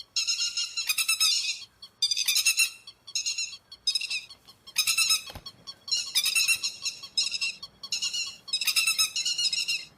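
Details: Grey-headed lapwing calls used as a lure for night net trapping: loud, harsh, ringing notes in rapid stuttering bursts of about half a second to a second, separated by short pauses, with no other sounds.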